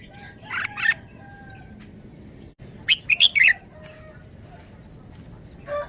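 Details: Red-whiskered bulbul singing in a forest-style song: a couple of bright warbled notes, a pause, then a fast run of four clear chirping notes, and one final low note against a quiet background.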